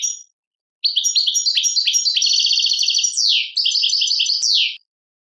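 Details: European goldfinch song labelled Tadmait, from Algeria: about four seconds of fast, high twittering with buzzy trilled notes and quick downward slurs, phrases packed closely together, no other sounds.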